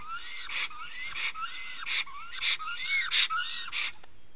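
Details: Black storks in Estonia at the nest during change-over and feeding, 24 May 2019, mid-afternoon 15:15: rhythmic wheezing bursts about twice a second, each with a bright rising tonal note, fairly loud and close.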